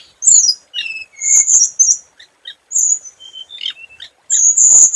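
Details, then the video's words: Scarlet minivet singing as a decoy bird: shrill high whistles mixed with lower flat whistled notes and sparse clicks, ending in a loud sustained piercing note. "Tiếng chim hồng hạnh mồi chuẩn"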